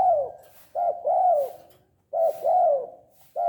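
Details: Tame spotted dove, kept by its owner and calling actively, gives low cooing phrases: a short coo followed by a longer falling one, repeated about every 1.3 seconds, in a quiet small room.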